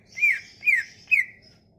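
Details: Sumatran leafbird song, played as a lure to get silent leafbirds singing: three loud, clear whistled notes sliding downward, evenly spaced about half a second apart, over a faint low hum.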